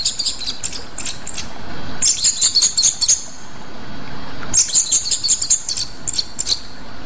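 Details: Rueck's blue flycatcher of Sumatra gives fast runs of very high, tinkling repeated notes in two bursts, with softer scattered chips around them.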